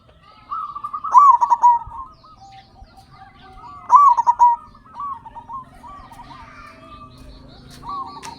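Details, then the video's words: Local Indonesian zebra dove (perkutut) singing loudly, kept as a lure to coax captive birds into song: a rapid stuttering coo phrase with a throaty trill, repeated about every three seconds, with quieter doves cooing behind. "Perkutut Lokal Gacor Suara Besar Pancingan Burung Perkutut Agar Cepat Bunyi"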